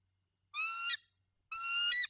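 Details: Bald eagle at the nest while incubating one egg in November, two harsh squealing notes about a second apart, each roughly half a second long and ending in a rougher break, low hum between.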